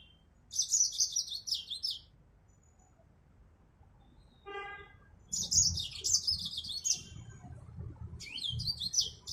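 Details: Yellow-fronted canary, the Mozambique finch of Africa: three separate bursts of fast, high, twittering song notes with pauses between them, a short harmonic honk-like tone mid-way, and low rumbling background noise.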